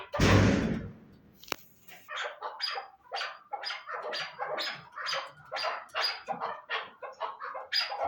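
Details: After a loud rustling burst at the start, chukar partridge notes follow in a steady string of short, throaty clucks, somewhat irregular in spacing.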